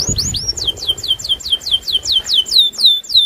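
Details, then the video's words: Loper canary singing in an agitated way, challenging a rival to sing. About a dozen whistled, downward-sweeping notes come at a steady pace of roughly four a second. A low rumble sits under the opening. "Suara Burung KENARI LOPER NGAMUK Menantang LAWAN untuk BUNYI"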